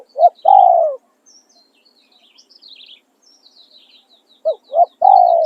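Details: Decoy spotted dove singing its calling song. A short coo and a long sliding coo, a pause of about three and a half seconds, then two clipped notes and another long coo. Faint high twitters of other birds.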